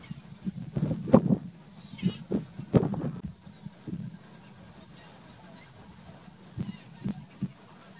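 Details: Greater flamingos at the lagoons of Alcázar de San Juan, Ciudad Real, Spain, in June 2021: low, nasal goose-like honks in short bursts and clusters, several close together, then pauses and scattered single honks.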